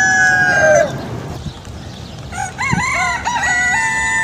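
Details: Rooster crowing, one of a series of different birds: the tail of a crow fading out, then a quieter, wavering, undulating crow over steady background hiss.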